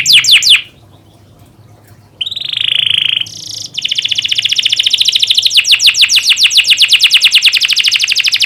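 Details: Young canary (kenari paud) singing as a master recording for training birds: brief trill, a pause, a sustained buzzy note, then a long fast trill of rapidly repeated notes.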